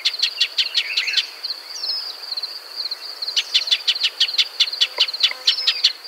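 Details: Shining sunbird of the African and Arabian deserts: two bursts of fast, hard chip notes separated by a quieter stretch, over a persistent high buzzing tone.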